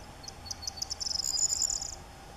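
A corn bunting sings: a few spaced, high ticking notes that speed up into a dry, jangling trill, like a bunch of shaken keys, lasting about two seconds.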